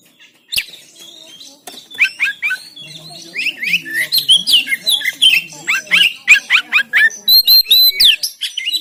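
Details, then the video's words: Oriental magpie-robin from Banten, captured with an Android phone for training birds to sing, delivers a rapid, varied run of chirps, slurred whistles and squeaky notes that builds in intensity, roughly one phrase per second. "Memancing Kacer Macet Bunyi Gacor Bongkar Isian"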